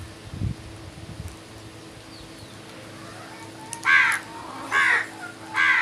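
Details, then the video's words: Morning crow calls: three coarse, hoarse caws about one second apart near the end, after a stretch of quiet background with a low thump at the start. "Birds Morning Sounds | Crows World"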